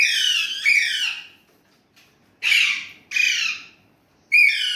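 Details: Talking Indian ringneck parrot voicing Urdu/Hindi: a drawn-out harsh phrase, a tiny click, then three separate loud squawky bursts roughly a second apart, each sliding downward, in an otherwise quiet room.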